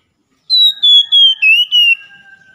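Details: Morning song of an Oriental magpie-robin, played to restore singing in a caged bird: one clear whistled phrase of five pulsed notes drifting steadily downward, ending in a fading lower tail.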